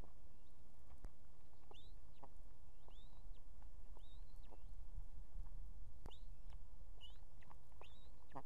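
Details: Female osprey on a nest holding two chicks in Estonia, July 2016, summoning the male to bring fish. A series of short, high, upslurred whistled chirps about one per second, with clicks and constant low wind noise behind.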